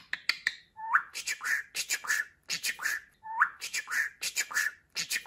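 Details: Pet budgerigar repeats a short talking phrase twice, each made of a rising whistled note followed by several quick, buzzy speech-like syllables.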